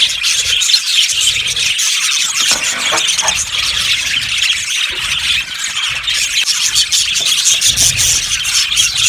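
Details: Aviary flock of yellow budgies chattering nonstop: overlapping bright, scratchy chirps and warbles from many birds, steady in loudness throughout, with soft low background rumble.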